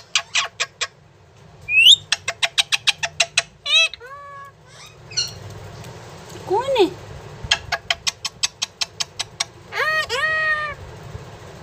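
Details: Pet parrot that talks, saying "mummy": sharp repeated clicks, rising whistles and short squawky word-like sounds, quiet indoor hum behind.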